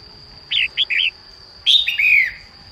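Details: Female red-whiskered bulbul's morning song, used to stimulate newly caught birds into voice: three short bright chirps followed by a longer falling, slurred whistle, with a constant thin electronic-sounding tone behind.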